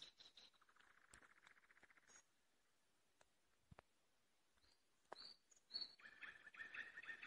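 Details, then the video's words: Nightingale trills: a fast buzzy rattle, sharp scattered clicks and a pause, then bright high whistles leading into a rapid churring run of repeated notes. "Соловьиные трели"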